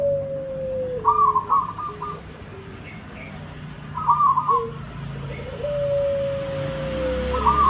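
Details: Local Javanese zebra dove song used as a lure for other birds: soft rolling, trilled coos near the same pitch, repeated about every three seconds, over a steady lower tone and faint background hum.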